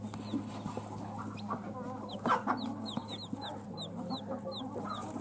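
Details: Newly hatched baby chicks peep in bursts of short, high, down-slurred notes, some overlapping, with handling noises and a low steady hum in the background.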